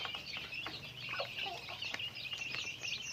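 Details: Chickens during their daily activity, a busy overlapping chatter of shrill peeps with a couple of lower, bending clucks in the middle.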